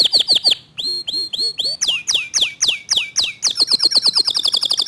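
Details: Clear-voiced local canary singing fast, tight 'tembakan' phrases: four sharp whistles, then slower looping notes, loud descending whistles, and an accelerating run of rapid high chips.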